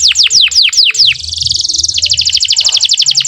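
Canary song: six fast descending whistled sweeps, then a long rapid trill of high bright notes, about ten per second, with faint low hum beneath.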